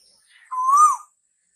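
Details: One Asian koel call, linked with the coming of summer: a smooth whistled note that rises steadily, then turns down at the finish, with a rich buzzy overtone and near silence around it.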